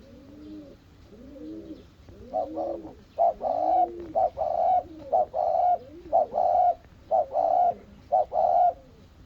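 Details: Soft, low arching coos from a spotted dove that has just seen its mate build into a regular series of loud, harsh, flat notes, roughly one each second.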